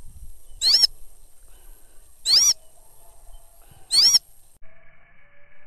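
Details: Sulawesi goshawk, a falconry bird out hunting, gives three loud, high, thin screaming calls about 1.7 seconds apart, each briefly rising then falling, with a faint steady hum at the end.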